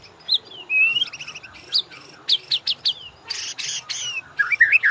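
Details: White-rumped shama master song for training caged birds: a varied mix of clear rising whistles, sharp slurred notes and harsh buzzy bursts, delivered in quick separate phrases.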